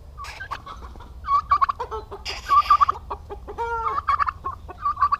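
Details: Aggressive male domestic turkeys sharing a farm in Paraná, Brazil: overlapping stuttered gobbles and clucking notes, with a drawn-out harmonic call near the end, a busy flock chorus.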